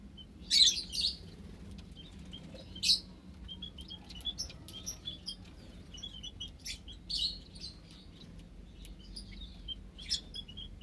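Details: Java sparrows in an aviary with white-headed, scaly-breasted and tricolored munias, ten Java sparrows kept together; short high chirps and tweets scattered through, several bright bursts, over a low background hum.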